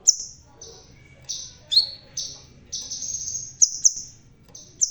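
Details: A crimson sunbird with a red tail, bald yet singing hard, delivers a near-continuous run of high, drawn-out buzzy notes. Some notes dip slightly lower and others are punctuated by sharp chips, over quiet low background noise.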